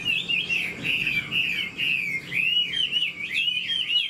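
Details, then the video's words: Chinese hwamei, an old bird caught in the wild, delivering rapid rolling whistles in a near-continuous stream of wavering, slurred notes with only short pauses. "Họa mi già rừng chất giọng cực hay. tốc độ mỏ nhanh"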